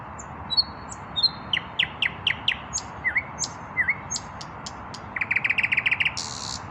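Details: Common nightingale male, still without a female, in evening song: thin whistles, a string of descending strokes, two V-shaped slurred notes, spaced clicks, then a quick rattling series of repeated notes ending in a rasping buzz.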